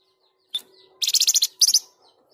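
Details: Lively Flamboyan song for tutoring and provoking other birds: one sharp high note, then a fast series of about nine bright buzzy notes and a shorter burst of four, all very high-pitched.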